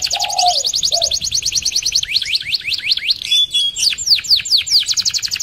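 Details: Canary rolling song meant to attract and lure canaries: a fast, even trill of high notes, a couple of lower warbles early on, then quick downward-sweeping notes repeated in series.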